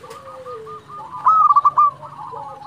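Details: Local zebra dove in full song, used to make rivals answer and to stimulate other doves: faint background cooing, then a sudden loud run of about five quick staccato coo notes midway, with a thin gliding tone beneath.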